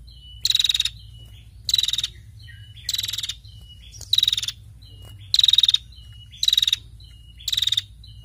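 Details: A female prinia calls actively in a steady series of seven brief, buzzy pulsed rattles about every 1.2 seconds, with soft short notes between the bursts.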